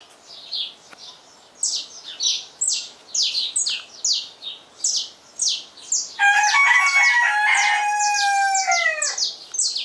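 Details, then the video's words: Saffron finch singing at dawn, a steady series of short, high, downslurred chirps repeated about twice a second, while a rooster crows loudly through the last few seconds. "Canto do Canário-da-terra ao amanhecer"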